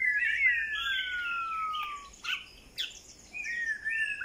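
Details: White-rumped shama with a long, clear whistle sliding slowly downward, followed by short scratchy notes and a few softer whistled phrases against faint background hiss.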